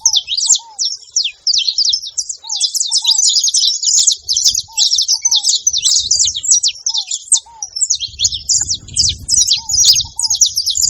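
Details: Saffron finches calling together in a busy flock chorus of rapid, high, scratchy chirps that never pause, layered with short, lower curved whistles repeating every second or two and some low background rumble near the end.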